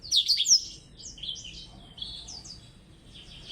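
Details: Blackthroat competing in song with a Java sparrow, starting with a loud, bright burst of rapid whistled slurs before tailing off into softer high chirps and warbles.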